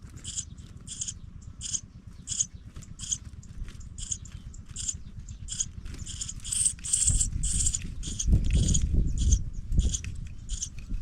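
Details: Young pipits leaving their nest call with quick, repeated high squeaks, over two per second, continuing throughout, while a louder low rumbling noise rises in the second half.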